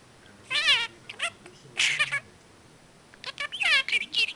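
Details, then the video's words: A pet budgerigar, after five months in the home, mimics "Here kitty kitty kitty kitty!" in short, high, raspy bursts with brief pauses between words. "Parakeet says "Here kitty kitty kitty kitty!""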